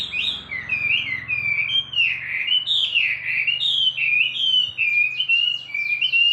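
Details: Wambi bird singing a continuous string of clear whistled phrases that swoop up and down, bright and high, with a faint low hum beneath.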